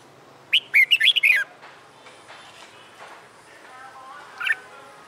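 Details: Caged red-whiskered bulbul trained in fighting song, a wild-caught bird after a month in a new cage: one lively phrase of quick looping whistles, then a single short note three seconds later.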